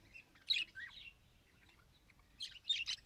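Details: Pet budgerigar trying to talk: two short bursts of high, scratchy chirps and warbled notes, the first near the start and the second near the end, with quiet gaps between them.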